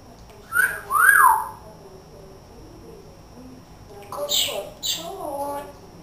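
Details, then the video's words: Pet parrot talking in a humanlike voice as it calls for its owner in the morning. Two bright, swooping whistled syllables come first, then a pause and a few quick higher phrases in a quiet room. "BEST TALKING PARROT IN THE WORLD"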